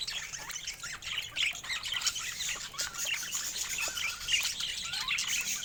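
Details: Companion budgerigars chatter in a busy tangle of thin, quick chirps, scratchy squawks and bending whistled notes, heard throughout.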